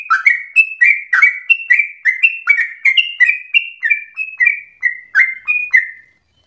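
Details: Continuous fast song of a chatty sooty-headed bulbul, agitated and persistent, used for provoking song and as a tutor: a rhythmic series of clear falling whistles that ends in silence.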